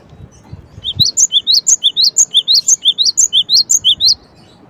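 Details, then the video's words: High, crisp repeated notes from a cinereous tit (gelatik batu), a steady string of alternating lower and higher upslurred chips, roughly two pairs per second, with faint low thumps at the start. "SEKETIKA gelatik mu langsung NYAUT DENGARKAN suara gelatik batu ini"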